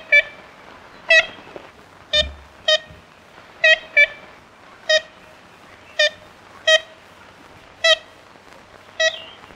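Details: Ivory-billed woodpecker, a critically endangered, possibly extinct North American species, giving about eleven nasal, tin-horn-like tooting notes at irregular intervals of roughly one second, some in close pairs, over a faint steady hiss.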